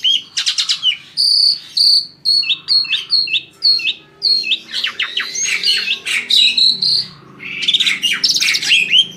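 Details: Asian pied starling singing to stir other birds into song: a chain of repeated bright chirps at a steady pitch, followed by rough chattering and harsh buzzy bursts toward the end.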